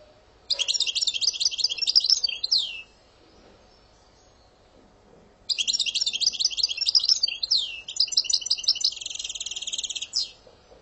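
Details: European goldfinch singing in Algerian song style, with two bursts of high, rapid twittering and buzzy notes, each about two seconds long and separated by a quiet pause. The second burst ends with sweeping and rattling phrases.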